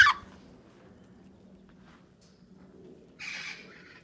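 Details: Wild Amazon parrots in a large rehabilitation flight aviary holding Lilac-crowned, Yellow-headed, Red-crowned and Red-lored Amazons, some habituated to people; a sharp burst at the start, then one harsh, raspy squawk late on over a faint low hum.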